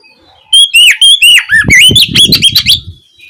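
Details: Oriental magpie-robin song played in the evening as a lure to stir other magpie-robins into answering; loud, varied whistled phrases with slurred, dipping and rising notes, later joined by low thumping noise beneath the song.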